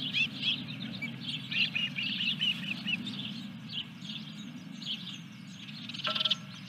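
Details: Ospreys at a nest during a fish delivery, 14 July 2021 around 21:23; high, thin chirping calls in rapid irregular runs, fairly faint over a steady low hum.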